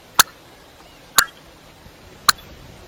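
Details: Common coot giving three sharp, short, clicking pips, evenly spaced about one second apart, against a quiet background.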